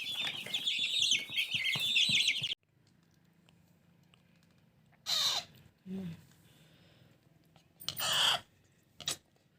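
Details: Alexandrine parakeet chicks, 25 days old, begging while being hand-fed: harsh, buzzy, harmonic squawks churn steadily for about two and a half seconds. Quiet follows, broken by several short, raspy, noisy bursts.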